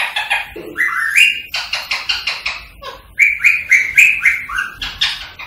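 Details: Rose-ringed parakeet, a pet, singing to stimulate song and mating: rapid rhythmic chattering pulses mixed with shrill whistled screeches that rise then level, the bursts coming several times a second.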